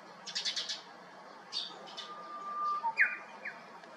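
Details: Japanese bush warbler singing from the top of a cypress at a vacant neighbouring house, 7 May 2021: a brief level whistle leads into sharp, clipped downward notes, after a burst of rapid high chirping from other birds.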